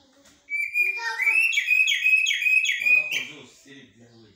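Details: Common blackbird singing a blacksmith-like and military-style phrase: a long run of clear whistled notes that climb steadily in steps, then break into quick chattering notes before fading.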